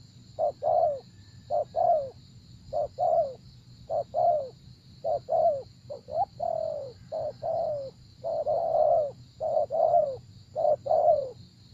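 Spotted dove giving soft, low, hollow coos in short phrases of two or three notes, repeated steadily, over a constant high insect drone.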